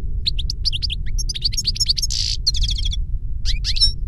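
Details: A European goldfinch sings a continuous jumble of sharp chirps, liquid twitters and one harsh buzzy note, against a steady low droning background.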